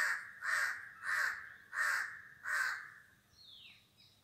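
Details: Five hoarse, evenly spaced caws from a crow, about one every 0.6 seconds, followed by a faint thin whistle from another bird.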